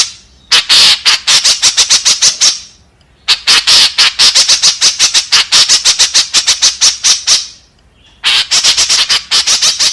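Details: Lure call of the white-breasted woodswallow, known locally as kekep babi, meant to attract companions: bursts of fast, grating squawks, each several seconds long, separated by short silences.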